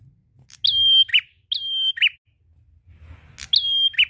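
A prinia sings three times: a sharp high note sliding into a long, level whistle, then a short buzzy burst, with gaps of about a second.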